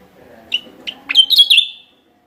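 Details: Javan myna lure call recorded in West Java: two short separate chips, then a rising upslurred note running into a rapid string of bright, buzzy chattering notes, all within about one second.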